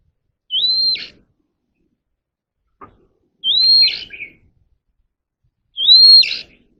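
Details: Caged Oriental magpie-robin in voice training, repeating one phrase three times at roughly three-second intervals: a rising whistle flattening into a sustained high note that ends in a buzzy burst.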